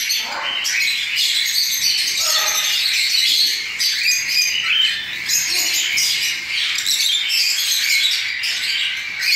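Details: Hand-fed cockatiel chicks just out of the nest beg continuously with a harsh, high, grating chorus that ebbs and surges every second or two.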